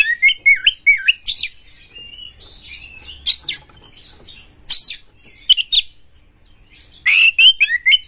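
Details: Captive white-rumped shama singing to stir up other shamas: warbled whistles at the start, then spaced harsh, buzzy chatter notes, ending with another looping whistled phrase.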